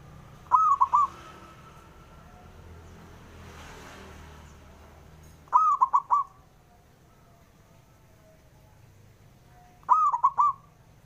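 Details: Male perkutut, the zebra dove, calling to challenge rivals to answer. Three separate crisp four-note cooing phrases come roughly every four and a half seconds, with quiet hum between them.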